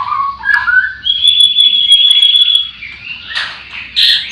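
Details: White-rumped shamas kept at a breeding farm, singing in the morning: low slurred whistles, then a long, steady high whistle, followed by short noisy bursts.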